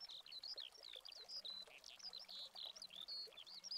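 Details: In Spain in August 2020, a Eurasian skylark pours out a fast, unbroken stream of high, twittering chirrups and trills, with a faint low hum in the background.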